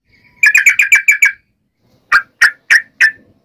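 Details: Yellow-vented bulbul in fighting mode, challenging other bulbuls: a quick burst of seven bubbly, buzzy notes within a second, a pause, then four separated downslurred chirps spaced about a third of a second apart.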